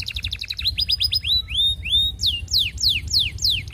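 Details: Canary song courting a female, used as a lure for other canaries: clipped repeated notes speed into a trill, two long rising whistles follow, then a series of bright falling sweeps repeated several times a second.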